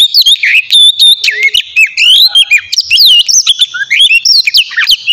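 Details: Oriental magpie-robin in morning song, played to spur other magpie-robins to sing: loud, varied, rapid whistles sweeping up and down, with buzzy trills and clear slurred notes packed closely together.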